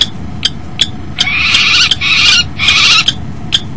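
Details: Common kestrels at a nest box at 09:13 on 10 February 2012. The male crashes into the box, the female lands on the rim, and they mate. Harsh, rasping chatter comes in three quick bursts over about two seconds, with sharp ticks and taps against a low hum.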